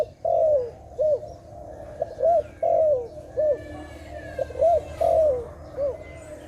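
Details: A dove gives a steady series of coos: short hooked notes alternating with long sliding falling ones, repeated in close groups, while other small birds twitter faintly at higher pitch behind it.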